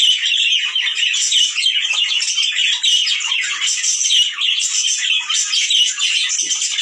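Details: Budgerigars, a sound meant to encourage males and females to breed: dense, continuous warbling chatter of many overlapping birds, high and buzzy with rapid chirps, barely pausing throughout, with no other clear sounds.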